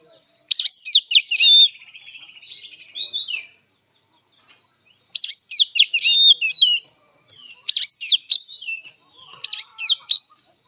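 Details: Kacer, the oriental magpie-robin, in fighting song: loud clear whistled phrases with swooping slurs and dense scratchy chatter, delivered in four bursts with quieter warbling between and near-silent gaps.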